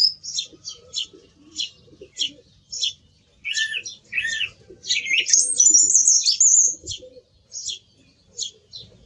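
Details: Song thrush singing: a run of short, sharp high notes mixed with varied whistled and trilled phrases, some rising, with a brief rich warbled passage near the middle.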